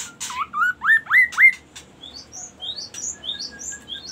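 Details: Magpie-robin song that opens with four strong rising whistles in rapid succession, then turns to a string of short, thin, high upward-slurred notes repeated about every quarter second.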